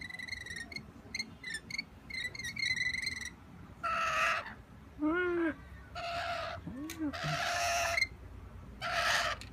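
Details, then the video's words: Wild rainbow lorikeets looking in a window for treats: quick ticking chirps, then several long rasping screeches alternating with low bending, wavering notes, ending on another harsh screech. "Wild rainbow lorikeets cute noises"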